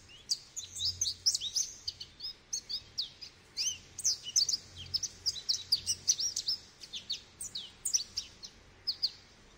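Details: Goldfinch delivering a long, lively twittering song, dense runs of high, sharp, liquid notes and buzzy slurs tumbling almost continuously for nearly ten seconds.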